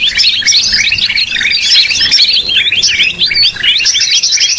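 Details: Greater green leafbird, as used for luring birds: a continuous rich jumble of varied, quick whistled and warbled phrases at high pitch, loud and unbroken throughout.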